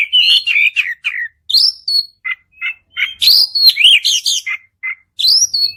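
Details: Rapid white-rumped shama song used as a stimulus for another bird, mixing whistled slurs, short chips and harsh buzzy notes in quick succession, loud and clear.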